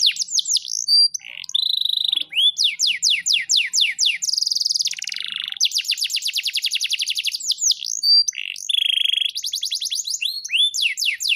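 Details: Pet canary in full varied song: sharp downward-swept whistles, rapid rattling trills, a steady buzzy held note and more chirping runs, phrases following with barely a pause, all high-pitched and clear.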